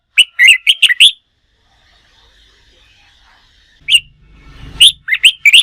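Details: Contest-song training of a wild-caught red-whiskered bulbul: a burst of five rapid chirpy notes, about three seconds of near silence with faint rustling, then more clipped, slurred chirps in uneven bursts.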